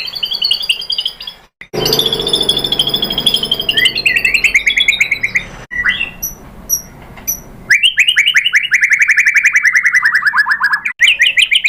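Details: White-rumped shama lure song for provoking a rival shama to sing: abruptly joined passages of high tinkling notes, rapid buzzy trills and a long run of quick descending chips, with harsh noisy stretches between.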